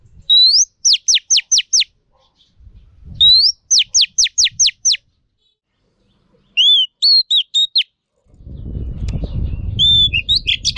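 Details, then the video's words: Female Oriental magpie-robin, a training recording meant to excite male birds: repeated phrases of a rising whistle and a rapid series of falling notes, later phrases lower and varied, ending over a burst of low rustling noise. "Choè than mái kích trống hay nhất."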